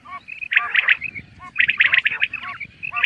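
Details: Common quail giving two dense bursts of rapid, chattering high notes, each lasting about half a second to a second, framed by a few softer tonal notes and short pauses.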